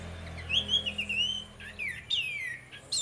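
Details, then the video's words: Orange-headed thrush ngeplong song used to get other birds singing: long, clear descending whistles and slurred phrases over a steady low hum and background hiss. "DUO ANIS MERAH NGEPLONG GACOR, PANCINGAN ANIS MERAH BIAR BUNYI"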